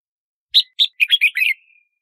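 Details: Short song phrase of a red-whiskered bulbul: two separate loud chirps, then a fast run of four linked warbled notes ending in a faint trailing whistle, with clean silence around it.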